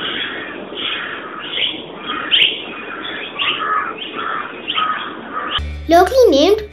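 Plum-headed Parakeet giving a rapid series of shrill, squeaky notes, several a second, over a steady background hiss; music and a voice break in at the end.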